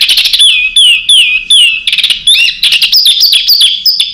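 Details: Songbird master recording of tight, fast fill phrases for training contest birds: repeated clear down-slurred whistles, then rapid chattering notes and rising, looping whistles in a quick, varied stream.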